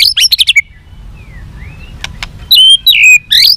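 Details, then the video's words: White-rumped shama singing a long song to stir up fighting: a burst of quick high chips, faint soft slurred notes and two clicks, then loud ringing whistled phrases. "chòe lửa kéo dây dài cực phê. đập tạch đuôi kích đấu. chòe lửa hót giọng dài kích lửa"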